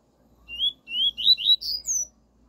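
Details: Double-collared seedeater singing the pure 'tui tui' song style, used as a tutor song for training a young bird: six clear whistled notes, each sliding upward, the later ones higher and quicker, over a quiet background.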